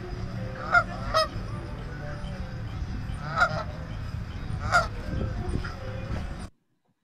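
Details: A Canada goose calling overhead gives four loud, nasal two-part honks spaced irregularly over about four seconds, over a steady low rumble of background noise.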